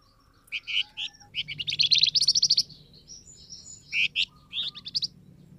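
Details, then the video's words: Flamboyan bird lure call for getting wild birds to respond. Short sharp chirps build into a fast, rattling run of high notes, followed by separate chirps and a soft low hum underneath. "SUARA BURUNG FLAMBOYAN, DIJAMIN LANGSUNG NYAUT BUNYI"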